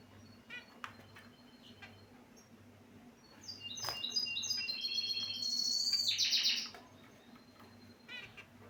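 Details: Several scattered short chirps from caged finches, then a sustained run of buzzy, nasal notes climbing into a bright, rapid trill lasting about three seconds, with a low mechanical hum throughout.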